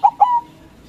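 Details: Loud-voiced white zebra dove, a local bird, singing to make rivals answer. Two coos: a short clipped note and then a longer smooth note that fades, with quiet afterwards.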